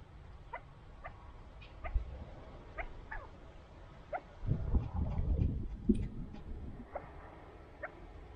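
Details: Chukar partridges kept by their owner utter quick clipped chuck notes, roughly four a second in loose bursts, while a muffled low rumble swells midway.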